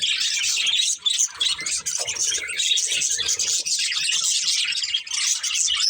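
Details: Budgies of a colourful breeding pair chirping: unbroken, high, grating warble with quick squeaks and chatter, briefly dipping at about one and two seconds.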